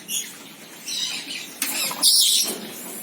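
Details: Senegal parrot uttering rough, grating squawks, a brief one at the start and a longer, louder burst past the second mark.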